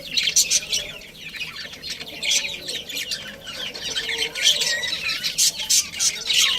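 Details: Budgerigar colony with a breeding pair, kept as pets, giving dense, continuous high warbling chatter of many overlapping chirps and squeaky notes with no pause.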